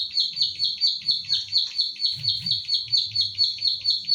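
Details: A kept pied bushchat from Central Java, recorded on an Infinix Hot 9 Play phone as a training recording for other birds, repeats crisp high chipping notes at a steady pace of about two per second over faint low noise.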